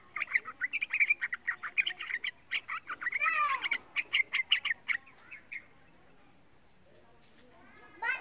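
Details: Young caged sooty-headed bulbul singing energetically, used as a lure to prompt other bulbuls to sing: a fast, bubbly run of short chattering notes for about five seconds, one sweeping slurred note midway, then a pause and a brief closing burst.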